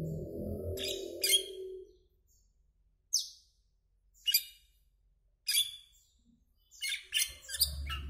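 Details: Asian glossy starling calling with sharp, high-pitched metallic chirps at irregular intervals, ending in a rapid cluster of notes; low rumbling noise opens and closes the recording.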